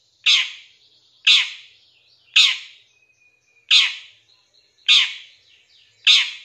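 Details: Long-tailed shrike in a lure recording for training other birds, giving six harsh, rasping notes spaced about one second apart, each sharp at onset and fading, with a faint thin whistle between.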